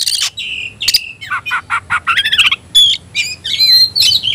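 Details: Oriental magpie-robin stirred up to fight, pouring out a fast varied song of rasping notes, short whistled slurs and a rhythmic series of chipping syllables.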